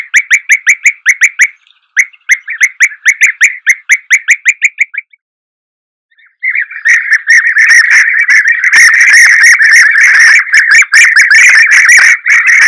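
European Bee-eater giving short, liquid rolling chirps in quick series, about three a second, then a pause and a dense, continuous chatter of overlapping calls.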